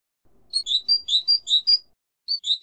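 European goldfinch singing a quick, liquid twitter of high tinkling notes, about six to the second, pausing briefly before starting again.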